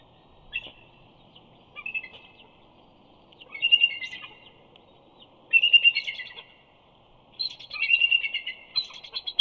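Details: Bald eagles, a mated pair at Big Bear, greeting each other at night with soft chortles as the male flies in, a juvenile looking on; short bursts of high, rapid chittering notes about every two seconds, growing louder and longer toward the end.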